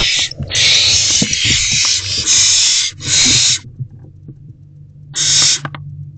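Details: Owls in a nest box on the evening of 16 March 2024, around a mouse delivery at 8:26 pm. Long, rasping hisses run almost without a break for three seconds, then fall quiet. One more short hiss comes near the end over a low hum.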